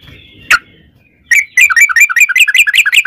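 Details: Yellow-vented bulbul singing a long rapid 'ropel' song used as a lure to make other bulbuls sing: a single sharp click, a pause, then a fast run of bubbly, chirping notes that dip and rise.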